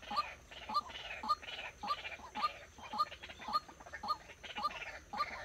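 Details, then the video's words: White-breasted waterhen used as a trapping decoy calls monotonously: clipped rising notes repeated almost twice a second for the whole stretch, over low background noise. "Dợt chim cuốc mồi"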